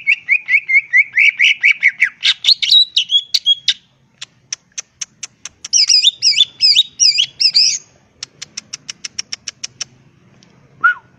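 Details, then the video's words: Greater green leafbird, crest raised, pouring out a lively song full of fill-in phrases. Rapid chattering notes, then a long series of sharp high ticks, fast wavering trilled figures, more ticks and one low whistle. "Burung Cucak Ijo Gacor full isian Ngentrok Jambul Nembak"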